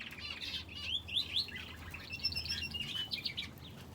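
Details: Inside an aviary housing finches and a canary, lively bursts of rising whistled chirps and buzzy twitters come in quick succession, several birds calling over each other.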